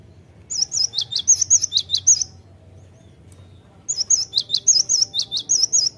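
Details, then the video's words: Great tit song used to lure the bird into singing: two bursts of rapid, high, sharply pitched notes, about a dozen each, repeated in quick paired strokes, split by a near two-second quiet gap over a faint low hum. "Pandai memikat gelatik batu jadi cepat gacor"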